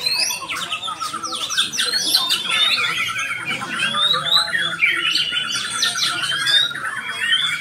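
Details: White-rumped shama singing a loud, varied song of rapid whistled phrases, sweeping slurs and sharp chattering notes, delivered almost without pause over a steady high-pitched background.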